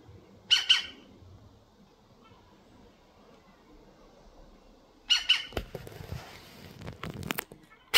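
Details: European green woodpecker calling, unbothered by a nearby cat: a harsh double squawk near the start and again around five seconds, followed by broadband clattering and rustling noise, then another squawk at the very end.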